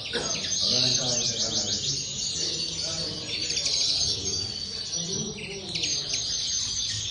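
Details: Common linnet in an aviary giving rapid, continuous chattering song of high chirps and short trills, rising and falling in bursts, over faint low rumbling background.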